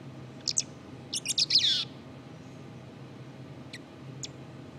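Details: A black-capped chickadee's subsong opens with a few high chips and a short, dense, buzzy twitter that slurs downward, then two isolated thin notes after a pause. Low hum underneath.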